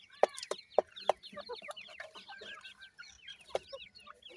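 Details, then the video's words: Iranian francolin chicks giving busy, high peeping calls, each a quick falling chirp, tumbling over one another, punctuated by several loud sharp taps. "irani teetar k bachay boli kartry hn, best teetar chicks boli"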